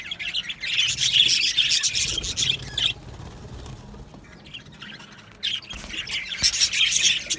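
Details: Australian budgerigars in an aviary colony: dense high twittering chatter for about three seconds, a quieter lull, then the busy chirping chorus swells again near the end.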